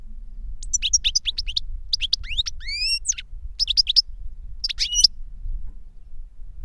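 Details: European goldfinch kept caged, a tutor bird or the young bird it trained through a CD recording, sings bright liquid twitters broken by a run of rising whistled slurs, over faint low hum.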